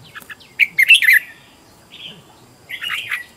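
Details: Red-whiskered bulbul singing as a decoy to lure wild birds: short quick chirps, then a loud liquid warbled phrase, a soft whistle, and a final burst of rich chattering notes.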